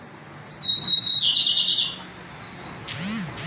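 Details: Lined seedeater delivering a forceful pirata song, a steady high whistle then a rasping buzzy trill, followed by quiet and a brief sliding squeak at the end.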